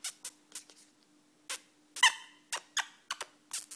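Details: Pet rainbow lorikeet saying "kiss kiss" to its owner indoors: a run of short, sharp smacking clicks and squeaks, some in quick pairs, about a dozen over a few seconds, with one brief harmonic squawk near the middle.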